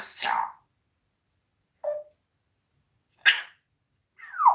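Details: Swearing parrot talking with its owner during a live broadcast at home: four short, clipped, scratchy vocal bursts, some sliding downward, separated by about a second of silence.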